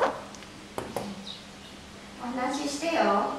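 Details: Domestic hill myna in May 2015 attempting to converse with its owner: a few clicks, then a drawn-out, speech-like warbling phrase with clear vowel-like tones near the end.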